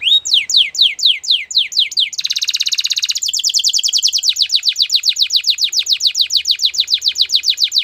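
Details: Canary singing a training song: quick sweeping notes falling in pitch, about five per second, break into a dense buzzy roll, then a long, fast, evenly repeated high trill.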